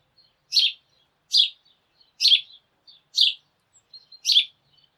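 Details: A sparrow flock chattering in the morning: five clear, harsh chirps roughly one second apart, with tiny faint peeps between them.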